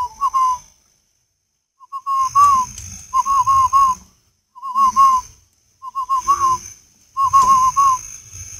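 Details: Repeated cooing of a spotted dove from northern Vietnam: phrases of three to five soft hollow notes recurring every second or so, accompanied by a constant high-pitched hum and dull thumping.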